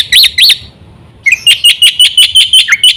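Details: Black-winged myna singing as a lure to set other mynas singing: two loud arched whistles, a one-second pause, then a rapid, fairly even series of about ten sharp clipped chirps.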